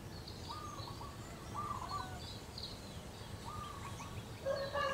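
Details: Female local zebra dove calling for its mate, giving soft, rolling trilled coo phrases about every two seconds. Higher chirps from other birds and steady outdoor noise fill the background.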